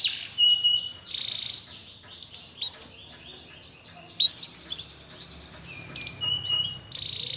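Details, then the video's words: Canary singing, used as a lure to get a reluctant canary singing again; bursts of swooping whistled notes separated by quieter gaps, with a few sharp clicking bursts midway. "Pancingan Burung Kenari Males Bunyi Agar Gacor Lagi"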